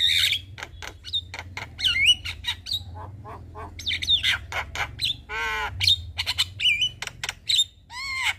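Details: Black-winged starling singing in the evening to train young birds: harsh rasps, whistled squeals and a buzzy nasal note, with a low hum throughout.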